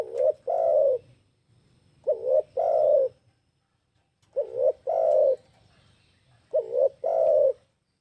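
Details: Spotted dove lure calling meant to attract other birds. Paired coos repeat every couple of seconds: a brief rising warble, then a longer, fuller coo, four phrases in a steady rhythm.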